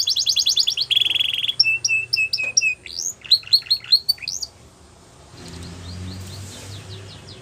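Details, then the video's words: Canary song for training young birds: a fast buzzy trill, a steady tour of clipped piping notes, then short liquid phrases, after which the singing stops and faint room noise remains. "Best Canary Sounds !! Suitable For Canary Training"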